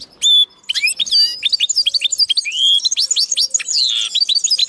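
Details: Linnet x canary hybrid singing: a clear whistled note near the start, then a fast, varied run of chirps, trills and upward and downward sweeping whistles, bright and high-pitched throughout.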